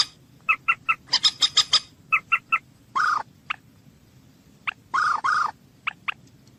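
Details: Common moorhen calling: a run of short, sharp, evenly spaced clucking notes, then longer, louder nasal croaks near the end. No other sounds stand out.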